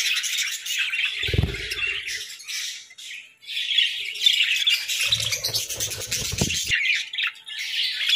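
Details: Budgerigars during winter breeding, a loud stream of squawks and warbled chatter, with two stretches of low knocking around one and five seconds.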